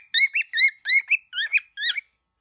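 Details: Angry baby cockatiel giving a run of about six harmonic two-part calls, each a rising note followed by a short higher chirp, spaced roughly every third of a second, in a quiet setting.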